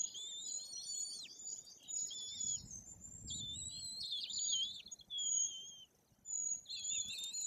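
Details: White-tailed eagle chicks nearly three weeks old in the nest, Bory Tucholskie, Poland, give thin, high-pitched peeping and trilled whistles almost without pause, sharp chittering bursts among them; a faint low rumble sits underneath.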